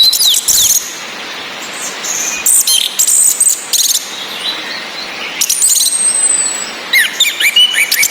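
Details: Orange-headed thrush female uttering calls to spur males' breeding urge: clusters of sharp, very high chips and buzzy notes in short bursts separated by pauses, with a constant rain hiss behind.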